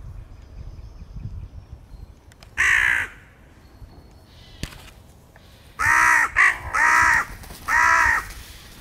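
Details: Several crows fight over peanuts with postures, cries and attacks: loud, harsh, hoarse caws, a single cry then a quick run of four about a second apart, over a low background rumble.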